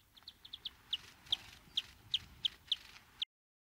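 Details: Eurasian nuthatch, Sitta europaea, heard fairly faintly: a series of about ten short, sharp, high notes, spaced unevenly at first and then repeated roughly every third of a second.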